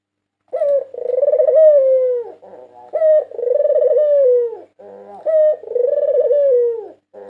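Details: Rolling coos from a white Barbary dove, a 2022 national champion used as a lure bird. Each phrase is a sharp rising note and then a long trilled coo sinking in pitch, repeated about every two and a half seconds.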